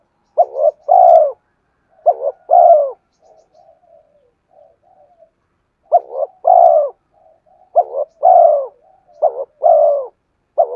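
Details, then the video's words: Spotted dove song used as a lure for wild birds: about six phrases of a quick two-note coo and then a sustained, gently falling coo, with a stretch of soft, low warbling notes after the second phrase. "Tiếng chim cu gáy kích bổi nhanh nổi hiệu quả"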